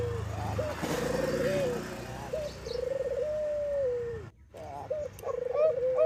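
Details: Bangkok-type zebra dove, played as a lure to get other doves singing: long, smooth, warbling coos held at a steady middle pitch with small trills, a brief break near the end, and a low rumble under the opening.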